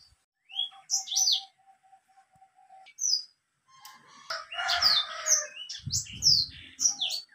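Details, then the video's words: White-rumped seedeater song: a few high slurred whistles, a soft row of evenly spaced ticking notes, then a lively burst of chirps and sharp downslurred phrases with some rasping noise. "BURUNG BLACKSTROAT GACOR"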